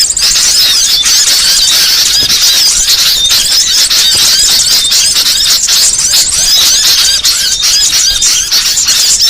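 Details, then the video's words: Continuous chattering of many small birds played as a trapping lure, high squeaky chirps and tiny whistled slurs packed tightly together, steady in loudness from start to end. "Suara paling ampuh pikat segala jenis burung kecil"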